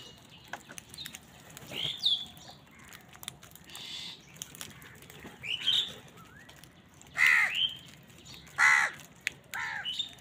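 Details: Crows competing with wild birds over food give two loud, rasping caws near the end, spaced about a second and a half apart, among scattered high chirps, whistles and wing rustles.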